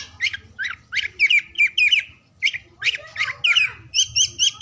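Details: Oriental magpie-robin song played to stimulate silent or lazy birds to sing, heard morning, noon and afternoon: rapid varied whistled and chattering phrases, some sharp rising notes, ending in a repeated clear two-note whistle.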